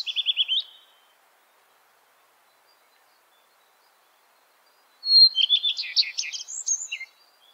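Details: Common Redstart song with two phrases: a short run of repeated trilled notes, then after a pause a clean whistled note opening into a fast, varied jumble of buzzy and twittering elements.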